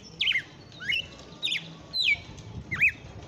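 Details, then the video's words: Red-cowled cardinal in vigorous late-afternoon song, called 'açoitando' locally: five ringing whistled notes, some dropping steeply, others rising, spaced roughly every half second over faint low background hum. "Galo de campina cantando no final da TARDE"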